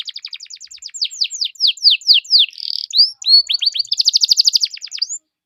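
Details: Canary song used to prompt other canaries to sing: fast trills of repeated downward-sweeping notes, a buzzy rattle, then rising notes and a rapid even trill, all high and bright.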